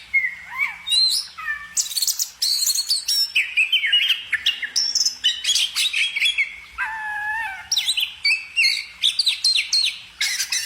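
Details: A bird pours out a continuous varied song, rich with slurred whistles, low swooping notes, sharp ticks and fast trills. Phrases follow almost without a break.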